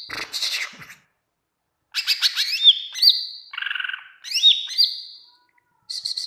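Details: Lively greater green leafbird song meant to prompt other leafbirds to reply: dense high chattering, clear looping whistles, and a low buzzy rattle, in bursts broken by brief silences.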